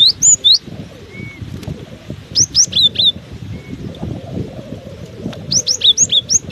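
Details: Cinereous tit keeps singing in strong wind, giving three phrases of high, clear whistled notes, each a quick run of four to six notes, separated by pauses, against a constant rumbling wind.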